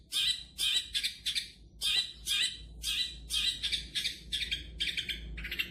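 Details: Champion long-tailed shrike delivering a rapid series of loud, grating, buzzy chirps, clustered in uneven groups with short gaps, growing quicker and softer toward the end.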